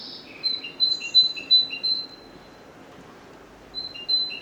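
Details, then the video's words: Great Tit song, a European garden bird: a clear series of repeated two-note whistles, high then lower, about three phrases a second. A short pause follows before the same alternating whistles resume, over faint background noise. "Chant de la Mésange Charbonnière - GREAT TIT bird call"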